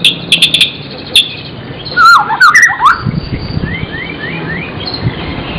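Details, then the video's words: Isian-style song of a magpie-robin: sharp high ticks, then a tangle of loud twisting whistled slurs, and finally a fainter series of rising notes repeated in a row. "burung murai gacor isian"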